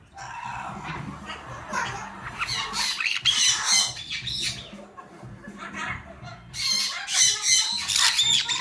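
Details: Pet parrot filmed at home, chattering in harsh, buzzy squawks and rasping bursts that come in irregular clusters and peak around three and seven seconds, with faint low room noise underneath.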